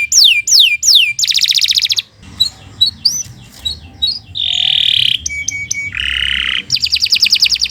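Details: Canary song recorded as a master for teaching other birds: descending whistles and a dense buzzy trill, a quieter stretch of scattered chirps, then rasping drawn-out notes and fast rattling trills at the end.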